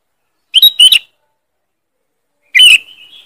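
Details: Sooty-headed bulbul lure call, loud and sharp: two quick bright chirped bursts, then after a pause a sharp note that trails off into a thin, fading whistle. No other sounds.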